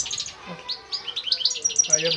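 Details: European goldfinch from Constantine, singing a quick run of high, bright chirps and tinkling twitters, some buzzy and some clear, rising in intensity toward the end with short sharp notes.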